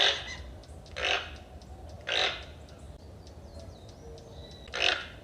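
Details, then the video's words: Toucan calling: hoarse, broadband croaks repeated roughly once a second, with faint high thin whistles from other birds and a low steady hum in the background. "Som do tucano. Tucano cantando..."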